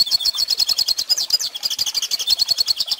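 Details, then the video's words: Teaching recording of a pintassilgo (Hooded Siskin) singing for young birds: a steady stream of quick, sharp chirped notes in a bright high twitter, evenly pulsed and without pause. "Pintassilgo Cantando Ensine Filhotes!!!"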